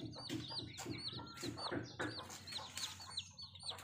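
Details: Village chicken, a mother hen with her baby chicks in rural Bangladesh: many high downward-arched chick peeps overlapping, with soft low clucks and scratchy pecking sounds beneath.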